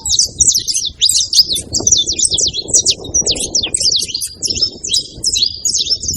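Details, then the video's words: Saffron finch producing a steady stream of quick, high, scratchy chirps in clustered bursts, set against a fairly strong low background rumble. "canário da terra fazendo barulho"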